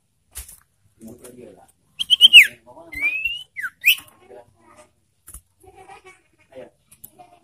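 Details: Ashy tailorbird lure call for stimulating birds in breeding condition: a cluster of quick slurred whistles, then a long rising note and a sharp falling one, with soft ticking and rustling around them.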